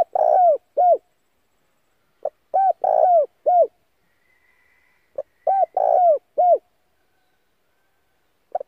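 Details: Calls of a Spotted dove decoy used to lure other doves. Phrases of a short first note and three deep, hollow coos, each ending in a downward slur, come in two bursts. A faint thin high tone sounds in the pause between them.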